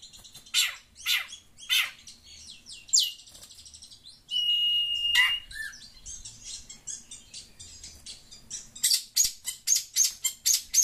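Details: Chatty long-tailed shrike responding to phone sounds: sharp rasping notes, a falling whistled sweep, then a long flat tone, followed by a quickening burst of short scratchy calls near the end.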